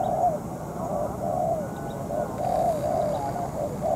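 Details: Molting spotted dove decoy calling during night trapping against a wild dove; a loose series of soft, smeared coos at irregular spacing, under steady low-frequency background noise.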